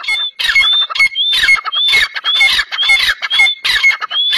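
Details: Sindhi black francolin: loud, continuous, overlapping calling of scratchy, grating phrases with short whistled upslurs, repeated roughly twice a second without pause.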